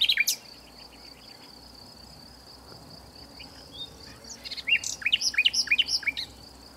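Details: Hidden nightingale in southern France opening with a loud flourish, falling quiet, then delivering a quick string of about eight rising, liquid notes, all above a constant shrill insect chorus.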